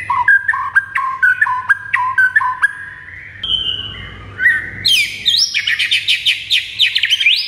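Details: White-rumped shama master recording for prompting birds to respond; quick alternating whistled notes, a long held whistle, then a dense, very high, jumbled warbling run.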